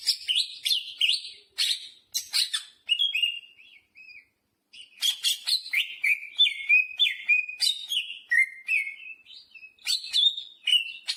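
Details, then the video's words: Cucak hijau, the greater green leafbird, sings energetically with jamtrok phrases worked in: fast bursts of sharp chips and looping whistles, a short silence, then a cascading series of bright falling slurs. "Burung cucak hijau gacor istimewa full muntah isian jamtrok"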